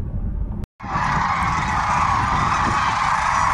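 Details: Sandhill cranes, roughly 750 to a thousand, flying back in around lunchtime after morning foraging at Willcox, Arizona, in late winter; a dense, continuous chorus of rolling, overlapping calls with low wind rumble underneath.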